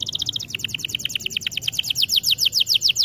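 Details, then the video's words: Canary singing in a training recording, a rapid chattering trill of high notes, first tight and even, then shifting to slightly slower, sharper descending notes repeated several times a second. "Melodies Canary bird song | Training video"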